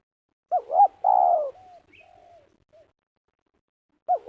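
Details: ['Meruas-style spotted dove call recorded while luring for snare trapping in Liwa, West Lampung, Indonesia: one full phrase of two short looping coos and a drawn-out descending note, a faint trailing coo, then a new phrase beginning.']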